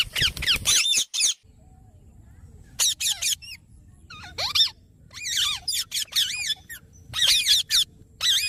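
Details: Parrot, known locally as mithu, giving repeated harsh, high squawking calls in short bursts with rising and falling harmonic notes, separated by brief pauses, over faint low background hum.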